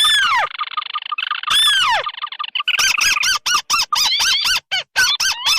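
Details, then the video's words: Lure recording combining red and white tikusan crakes, used to attract birds of paddy fields and swamps: a long buzzy harmonic drone with sharp descending whistled slurs, then a rapid series of arched, nasal notes repeated several times per second. "Suara pikat burung tikusan merah vs putih"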